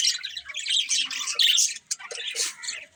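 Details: Loud budgerigar warbling and squawky chirps pour out in a quick, busy stream, easing briefly before another burst.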